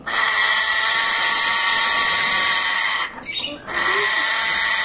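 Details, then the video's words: An angry grey parrot gives a harsh, raspy, nearly continuous screech that breaks off briefly near the end before resuming. "african grey parrot 🐦🐦 getting angry 😡😡😡 sound"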